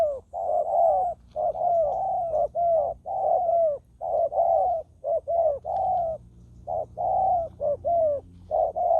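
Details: Spotted dove used as a decoy to lure wild doves. Low, mellow coos come steadily in short paired and triple groups, about one a second, with a faint indoor hum.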